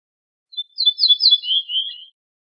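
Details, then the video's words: Ortolan bunting, al-bouh al-fassi in Morocco, on an assembled tape of wild bird songs: a short introductory note, then repeated bright descending whistles and a lower, longer closing phrase, against complete quiet. "شريط تغريد طائر البوح الفاسى"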